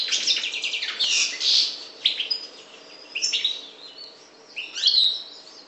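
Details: Parva goldfinch from the Maghreb opening with loud buzzy rattles and tinkling notes, then softer scattered chirps and a final bright burst.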